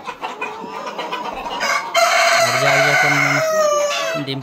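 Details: Super hybrid laying hens on a poultry farm whose nest boxes are full of eggs. Short clucks come first, then a loud, drawn-out harmonic squawk lasting over a second, followed by shorter clucking calls. Faint farm background noise.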